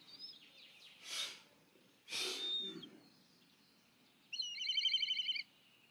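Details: Black kite begging call: a short quavering, tremulous trill with stacked harmonics near the end, preceded by two loud broadband rushing bursts and a few faint thin whistles.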